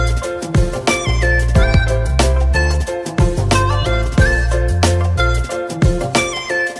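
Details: Upbeat band music with a driving bass line, drums and a bright melody, and no animal calls.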